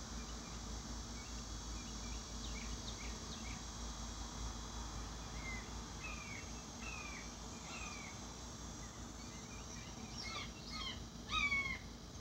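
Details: Juvenile Red-shouldered hawks begging in the background while their parents share a meal give faint, thin, down-slurred squealing notes in loose series, with a louder cluster near the end, over steady insect hiss and low rumble.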